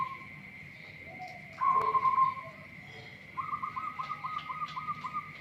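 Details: Local zebra dove with an unusual voice: a short cooing note, then a rapid pulsed trill of about ten quick beats on one mid pitch, over a steady high whine and faint background hiss.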